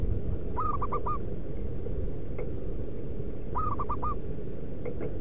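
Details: Local wild zebra dove, recording used as a lure to call wild doves: two short cooing phrases about three seconds apart, each a quick run of three or four clipped, hollow notes, over a steady low rumbling background with faint clicks.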